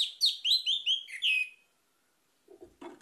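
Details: Orange-headed thrush song for luring other birds to sing: one rapid phrase of loud, looping whistled notes lasting about a second and a half, followed by silence, then low knocking and rustling.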